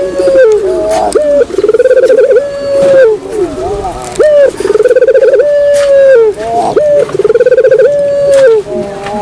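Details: Barbary dove lure call: repeated two-part phrases of a vibrating, rolling coo running into a long even note, about every two seconds, with faint voices behind.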